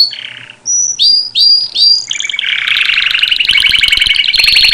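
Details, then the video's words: Canary song opening with a low rolled phrase and bright upswept whistles, then breaking into a long, fast, buzzy trill. "When the canary bird sings عندما يغرد طائر الكنارى"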